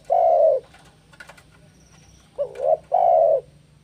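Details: Spotted dove in breeding condition confronting a rival: a long low coo, a pause with faint clicks, then a short double note and another drawn-out rolling coo.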